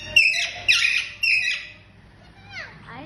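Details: An Indian green ringneck parrot gives three loud harsh screeching calls in quick succession, each about half a second long, followed by softer descending whistled notes.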